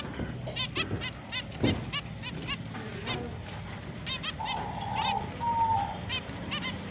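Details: Captive finches at breeding-season start, late October, chirp in quick, bright, high bursts, several calls per second, with a steady lower hum near the end and a faint background murmur.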